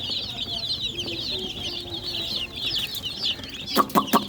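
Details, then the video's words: A brood of chicken chicks chirps in a steady stream of shrill, quick peeps, with several short low tones midway and a few sharp knocks near the end. "MURGI CHICKS CHIRPING SOUNDS color full hen baby chicks"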